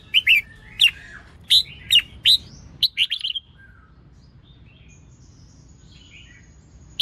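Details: Female red-whiskered bulbul singing to stimulate males: bright, warbled phrases of quick rising and falling whistled notes around the two- to four-kilohertz band, bunched in the first three seconds, then near silence with one last note.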